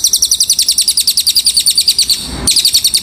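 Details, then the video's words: Cililin song, a tutor recording for training birds: a continuous high, metallic trill of rapid repeated chirps, roughly ten notes per second, broken by one short gap before it resumes. "masteran burung cililin"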